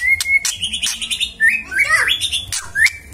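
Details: Magpie-robin in full, lively song meant to draw an answer from another bird: clear whistled notes near the start, then a rapid run of varied slurred, warbled phrases with sharp high clicks between them.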